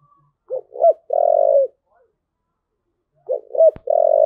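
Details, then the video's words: Spotted dove giving its coo phrase twice: two brief rounded notes and a drawn-out low mellow coo, repeated after about a second and a half of silence, with one sharp click near the end. "cu gáy thúc gù"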